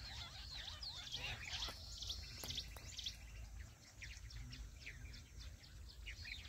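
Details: Jungle bush quail calling used to catch birds in a trap in small jungle areas: quick, sharp, high chirps and a brief buzzy trill, strongest early, with sharp clicks and steady low rumble behind.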